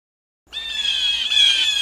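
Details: A Blue Jay, a common feeder bird in Pennsylvania, gives one harsh, raspy scream, high-pitched and held for over a second after a short silence; nothing else is heard.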